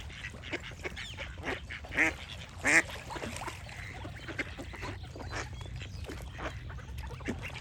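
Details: Duck giving two loud, harsh, nasal quacks about 0.7 seconds apart, standing out over a steady backdrop of softer clicks, chatter and rustling from other birds.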